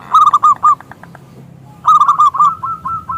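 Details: Local zebra dove, an active singer with a big voice, used as a lure to invite other doves to sing: two bursts of loud, rolling staccato coos, each followed by a softer trailing series of clipped notes.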